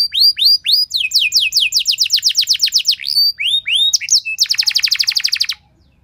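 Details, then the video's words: Canary singing long and loud as a lure for other canaries: upswept whistles, a quick series of falling notes, curved slurs, then a rapid rattling trill that stops abruptly. "Langsung Respon Burung Kenari Kondisi Apa Saja Dengan Pancingan Kenari Nembak Panjang Keras Ini"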